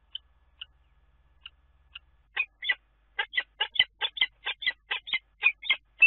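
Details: Common kestrel at a nest in a water tower in Scheveningen, Netherlands, on 10 April. A few faint thin notes come first, then loud, rasping, scratchy calls repeat quickly, about two per second, over a faint low hum.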